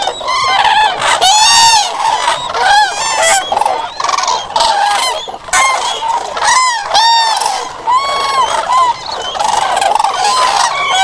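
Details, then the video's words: Common cranes calling loudly in overlapping bursts, arched bugling notes that rise and fall, repeated roughly every second from several birds at once, forming a harsh, chord-like chorus throughout. "Common Crane musical chords"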